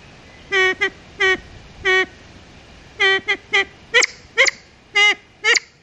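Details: Siamese fireback pheasant in Sakaerat Biosphere Reserve, Thailand, giving about a dozen short, nasal, honking notes, some in quick pairs, spaced irregularly over six seconds against a quiet background.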